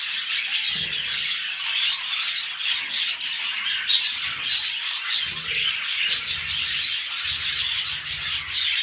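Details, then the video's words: Pet budgerigars mating ahead of a new brood keep up dense, squeaky warbling chatter with quick clicks and a few sharp high notes, steady throughout, with light thuds and a low hum. "MUHABBET KUŞU ÇİFTLEŞME"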